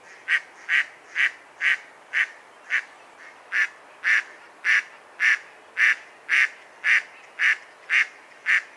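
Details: Mallard calling in a long, even string of coarse quacks, close to two each second, growing slightly louder toward the end.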